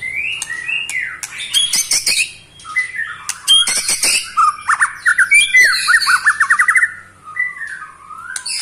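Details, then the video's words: Captive eight-month-old white-rumped shama (pastol type) delivering a rattling trill meant to provoke other shamas: loud whistled and chattering phrases with quick rising notes, a run of rapid clicks and a descending trill. "KETREKAN Pastol 8 bulan Bikin EMOSI murai Lain"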